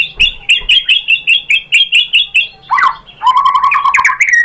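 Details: Shama song meant to provoke other shamas into singing: about a dozen evenly spaced whistled notes, then a lower, rich warbling phrase.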